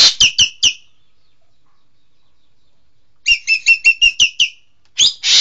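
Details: Green magpie (Cissa chinensis), called engkek keling: a rapid run of four clipped, high, downslurred notes. After a silent pause comes a longer series of about seven, then a final note and a harsh burst. The background is quiet.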